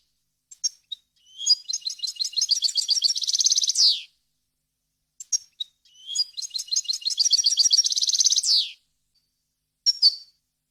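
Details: Faultless, varied European goldfinch song used to teach young birds. Two similar high phrases of quick chips and twitters, each closing with a fast trill and a falling buzzy slur, plus a few stray call notes afterwards.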